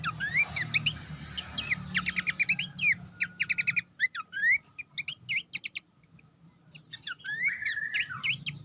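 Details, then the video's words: Horsfield's babbler master song for training songbirds: long, energetic run of rapid staccato chirps and rising slurred whistles in dense bursts, a short pause, then more quick varied notes with faint low hum. "masteran mewah khas pelanduk semak"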